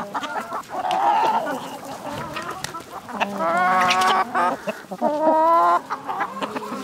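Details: Village hens calling loudly: a wavering harmonic squawk early on, then two long drawn-out cackling calls in the second half, separated by softer clucks from the surrounding flock.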